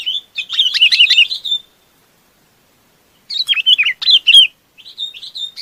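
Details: Flock-calling Chinese babax: two chattering, warbled phrases separated by a silent gap of about one and a half seconds, followed by softer whistled notes.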